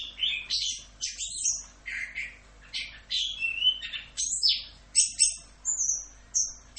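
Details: Orange-headed thrush giving full 'Rock'n Roll' style tutor song for training songbirds: loud, scratchy, high phrases alternating with sliding whistles, delivered in separate bursts roughly every second.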